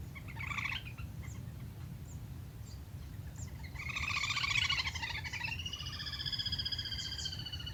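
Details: Lesser whistling duck lure recording: brief chattering bursts over a steady low rumble, followed by a longer run of quick pulsed whistles and drawn-out whistled notes.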